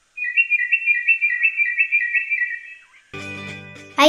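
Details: An endemic Sri Lanka (Ceylon crested) drongo, a forest bird usually seen in pairs, gives a quick run of about a dozen clear, slightly warbling whistles at an even pitch, followed by a burst of music.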